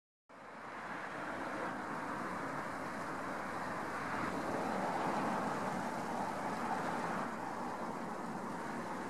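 Continuous broadband road traffic roar rises after a short silent start, with no animal voice.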